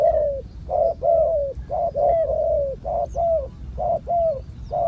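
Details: Wild spotted dove, noted for its big coo, calling during a decoy session. Repeated hollow coos, a clipped note then a longer falling one, with faint higher chirps from other birds.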